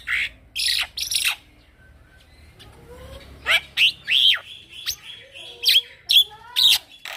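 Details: A young male Black-winged myna sings continuously in 'gacor ngeroll' style as training material for other birds: rough noisy bursts open, followed by a sequence of upslurred and downslurred whistles repeated roughly every half second.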